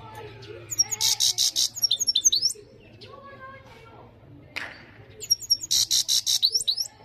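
A European goldfinch sings loud, fast bursts of liquid, tinkling twitters and buzzy trills, with brief pauses between phrases; faint background murmur underneath.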